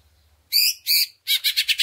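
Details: Greater green leafbird used as a lure for other leafbirds: two rich, harsh, drawn-out notes followed quickly by a series of four buzzy pulses.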